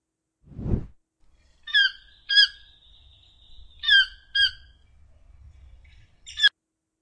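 Five harsh, nasal squawks come in irregular pairs over about five seconds, with a thin steady high whine in the background and a dull thump at the start.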